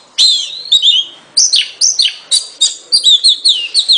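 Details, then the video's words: Loud Oriental magpie-robin song of sharp, downslurred whistles, each note sweeping down steeply, repeated roughly every third of a second with little variation. "เสียงนกกางเขน ร้องชัดเสียงชัด 2020 Oriental magpie robin"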